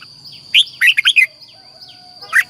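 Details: Caged Red-whiskered bulbul in Thailand, singing in the southern style used to excite caged birds and teach young birds. One quick phrase of four or five clear, warbled whistles, then a faint extra note, with a constant thin high tone behind.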